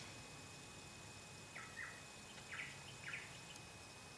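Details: Eastern yellow robin on the Chiltern Track, Ku-ring-gai Chase National Park, NSW, late July 2016: three short, quiet piping notes with a rough, slightly falling quality, spaced about half a second apart, over a steady low hum and faint background hiss.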